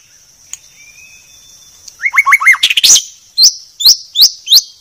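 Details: White-rumped shama, a clear training song: a quiet start, then three quick looping whistled notes and a loud chip burst. Four evenly spaced upward-flicked calls follow over a steady high background tone.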